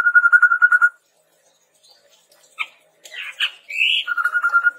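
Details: Red-rumped tepus recording for tutoring birds: a pulsed, quavering whistle, scattered chips, a rising buzzy note, then another trembling whistle.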